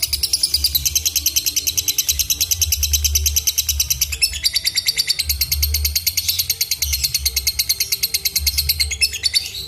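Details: Lovebird fighter giving a continuous shrill, rapidly pulsed chatter, steady and high-pitched with short breaks, while a deep rhythmic music beat pounds underneath.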